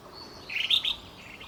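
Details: A single brief call from a crested finchbill: a bright, slightly slurred chirp of a few quick linked notes lasting about half a second, with soft background hiss.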